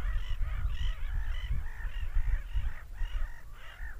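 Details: Repeated harsh seagull screams, each a short bowed yelp, come in an uneven rhythm of roughly two per second, layered over a booming low background noise.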